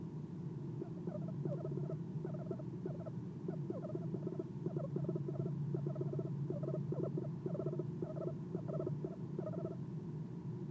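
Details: At night, an Eastern screech owl on the nest box perch gives soft chirps: grouped bursts of fast, rattling chirp notes repeating about every half second, with a continuous low hum behind them.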